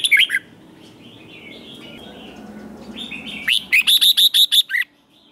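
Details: Fired-up competitive 'ché' singing by a red-whiskered bulbul for stirring wild-caught birds: a short warbled phrase, a lull of faint background calls, then a rapid run of about seven sharp high notes with a falling finish.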